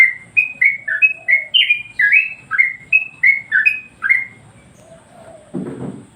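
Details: Yellow-vented Bulbul master song for provoking other birds: a quick string of clear, falling chirps lasting four seconds, then quiet, a faint soft note and a short low thump.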